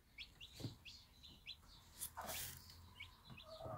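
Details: One-day-old Bantam chicks with their mother hen on a small backyard farm: faint, high, thin peeps, each sliding downward, repeated irregularly several times a second over low background rumble.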